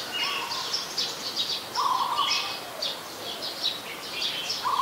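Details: Streak-eared bulbul, very common resident, Ubon Ratchathani, Thailand, recorded 22 July 2022; dense stream of quick high chips and slurred notes, with a lower rattling trill repeated twice, amid a lively bird chorus.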